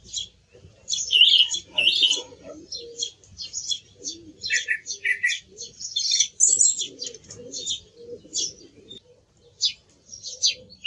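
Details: Song thrush song in a busy series of high, varied notes and short phrases, some buzzy and some whistled, delivered almost without pause, with faint low sounds underneath.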